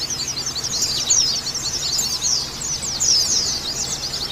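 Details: Calls of a female white-eye, played to stimulate breeding condition: a fast stream of high, thin, sliding chirps run together into a steady twitter.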